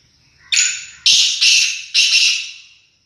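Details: Black francolin (Francolinus francolinus) gives a loud, harsh call of four grating, buzzy notes in quick succession.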